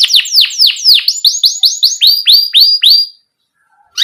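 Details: Canary song used as a lure for young canaries: a run of about fifteen clear downward-sweeping whistled notes, roughly four per second, then a short silence before singing resumes.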